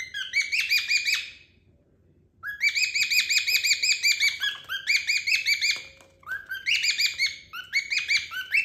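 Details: Pair of cockatiels in playful exchange, calling in fast runs of harmonic chirps, sharp and slightly buzzy, roughly three per second, with a brief silent gap partway through.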